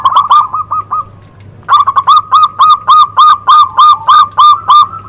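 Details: Zebra dove song, described as clear: a brisk burst of short cooing notes, a brief pause, then an even run of about a dozen mellow, slightly falling notes at roughly four per second, over a faint low hum.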